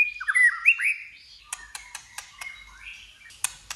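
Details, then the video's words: Fighting-contest singing by a white-rumped shama: quick varied whistles and slurred notes at the start, then a series of sharp, broadband clicks spaced irregularly with faint warbling underneath. "Chòe Lửa Hót Đấu"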